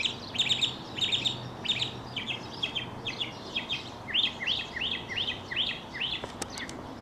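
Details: Mockingbird singing while he leaps and tumbles, a display sometimes lasting an hour; rapid twittering phrases repeated in sets, then a run of clear upslurred whistled notes given about twice a second.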